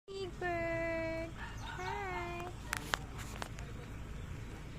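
A ringneck parrot gives two drawn-out, nasal, voice-like calls, the second wavering, followed by a few sharp clicks in a quiet room.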